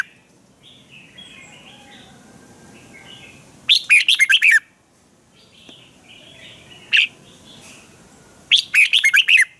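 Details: Caged red-whiskered bulbul in spirited training song: quiet soft twitters, then a loud quick phrase of rich warbled notes, a single sharp note, and a final rapid bubbling phrase.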